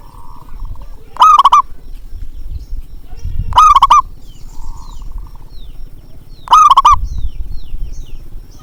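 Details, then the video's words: Local zebra dove with a big voice, recorded as a lure to get quiet birds singing: three loud cooing phrases, each a rising note followed by rapid rolling pulses, about every two and a half seconds, with low background rumble. "panggilan untuk perkutut malas bunyi"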